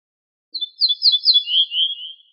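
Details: Ortolan bunting (al-bouh al-fassi in Moroccan Arabic) song from a compiled wild-bird recording: a short run of high ringing repeated notes, then two lower, slower, burry notes ending the phrase, with a silent background.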